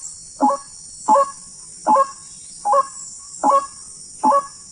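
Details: Wild white-breasted waterhen during a hunting outing: six honking, nasal croaks with a layered, buzzy tone, one every 0.8 seconds or so, with a faint hiss throughout.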